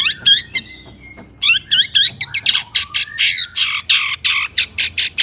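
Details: Agitated long-tailed shrike song intended to make other shrikes sing: a few slurred whistled notes and a thin held tone, then a steady series of loud, harsh rasping notes.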